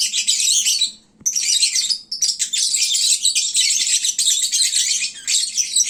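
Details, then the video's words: Lovebirds chattering at midday when full and sleepy: dense, shrill overlapping chirps and squeaks run almost continuously, with a brief lull early on. "Kicauan Lovebird saat mengantuk. Duuh berisiknya !!!"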